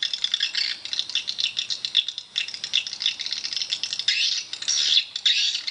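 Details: A swiftlet house full of calling swiftlets: continuous high, rasping chatter with squeaky chirps poking through, thick and overlapping from start to finish.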